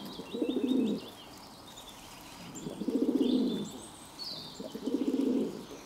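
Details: On 11 June 2022, a pigeon repeats a low, burring coo three times at roughly two-second intervals, each phrase swelling then sinking, with distant high chirps and whistles of other birds.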